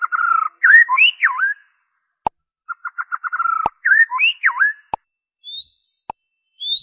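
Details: Pure white-rumped shama song lacking borrowed phrases, played to trigger caged birds or lure wild ones: repeated whistled notes and looping rising-falling phrases, broken by sharp clicks and a few thin high whistles.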